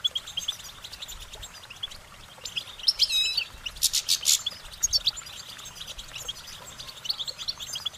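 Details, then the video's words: Goldfinch song: bursts of high, thin twittering and chirps rising and falling in quick runs, with a louder cluster of rapid notes near the middle and quieter gaps between phrases. "Goldfinch Singing their Song"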